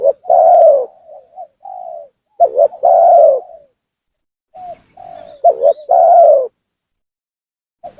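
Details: Spotted dove calling to draw and agitate rival doves for trapping: repeated phrases roughly every three seconds of a quick double note and a sustained coo, with gentle trailing notes between, and a faint high whine.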